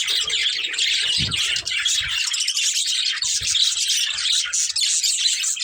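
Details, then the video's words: Unbroken stream of budgerigar chatter from a breeding pair, a thick wall of buzzy, warbled high notes with faint low thumps at times. "Beautiful Budgies Chirping Sounds"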